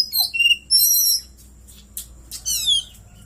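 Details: Oriental magpie-robin in captivity delivering song phrases filled with cililin imitation: a clear whistle, a high buzzy trill, sharp clicks, then a run of quick descending chirps.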